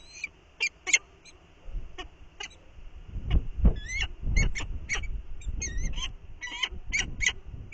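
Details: Falcons at their nest on a windy morning as the female returns to relieve the male from incubation duty. A brief exchange of short, harmonic chirping calls comes in quick irregular bursts, some wavering up and down, over low wind rumble.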